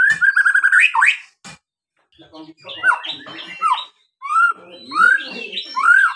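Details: Singing white-rumped shama used to stir other birds into song: a fast trilled phrase opens, followed by scattered rich whistles and buzzy notes after a short pause.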